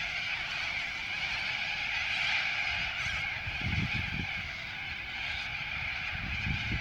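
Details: At Ramsgate Beach in southern Sydney, New South Wales, Australia, a steady, harsh din of cockatoo screeches rises as many birds call at once in a raucous, nasal chorus with no clear gaps.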